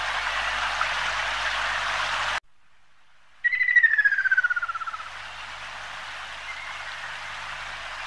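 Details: Ruddy Kingfisher (Halcyon coromanda) calling once: a rapid rolling trill gliding downward in pitch for about one and a half seconds, preceded by steady rushing water-like noise that cuts off, with faint hiss afterward.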